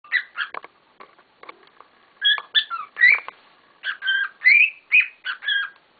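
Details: Several pet cockatiels calling loudly indoors: bursts of clear whistled notes with a strong overtone, many rising or warbling, in groups separated by short pauses.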